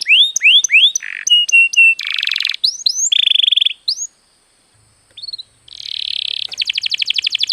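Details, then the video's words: Canary singing to encourage other birds to sing: varied phrases of rising whistles, buzzy rattles and clipped notes, a short pause, then a buzzy roll and a fast rhythmic trill. "suara burung kenari untuk pancingan agar gacor"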